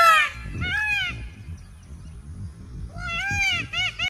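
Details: An Indian peafowl (Pavo cristatus), a peacock shown dancing, gives loud, nasal, wailing calls that rise and fall, in two bursts of several notes each, over a low background rumble.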